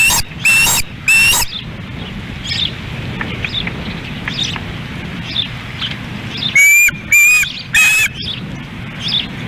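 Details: Osprey nest in Lolo, Montana, during a fish delivery to hungry chicks and a fish fight, August 2016: a few loud whistled upslurred calls in pairs and triples over steady rain-like hiss and faint distant chirps.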